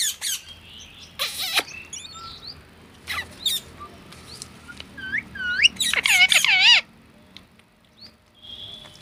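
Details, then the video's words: Parrot making mixed squeaky calls: scattered harsh bursts, then a series of looping, warbled whistles rising and falling, with quiet background between. "Natural Parrot sounds"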